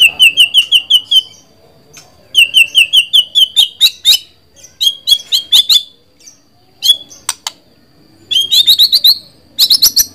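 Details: White-rumped shama singing loud, clear whistled phrases: runs of rapid rising notes repeated in quick series, then sharp clicking bursts and higher trilled whistles, with short pauses between phrases.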